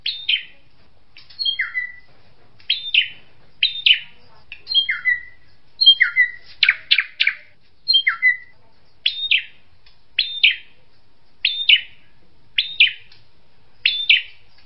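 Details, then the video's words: A kingfisher gives sharp, high, down-slurred notes in short two- or three-note phrases, repeated about every second over a quiet background. "SUARA BURUNG TENGKEK"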